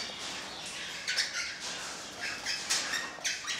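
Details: Fairly quiet, raspy squawks from an orange-blue fallow mutation crimson rosella, short bursts repeated at uneven intervals over a low hiss.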